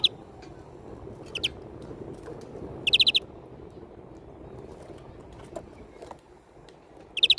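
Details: European greenfinch giving several short rapid trills of bright notes, clustered at the start, middle and end, with quiet faint ticks and a low hum between.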